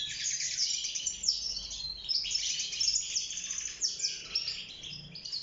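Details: Wild-caught European goldfinch singing in a cage, courting and building a nest: a fast, continuous twittering of high tinkling notes and short buzzy trills, with almost no pauses.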